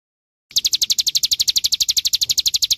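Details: Olive-backed sunbird song for training caged songbirds, starting after a short silence: a rapid, regular series of high, piercing notes run together into a steady trill.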